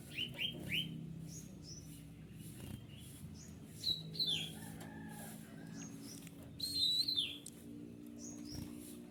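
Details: Captive white-winged triller singing, used as a tutor recording for other birds: sharp whistled chirps and slurred notes high in pitch, delivered in bursts with short pauses, over a faint low hum.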